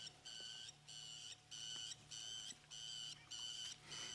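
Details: A lapwing on a South African safari drive, standing its ground and shouting at a buffalo that won't move, wings open and very upset, gives seven or eight strident, steady-pitched calls, about one every half second, in a brisk even series.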